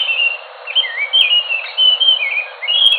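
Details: Short passage of Enggano thrush song from Enggano island near Bengkulu: long clear whistles bending down and up, linked into a smooth, flowing phrase.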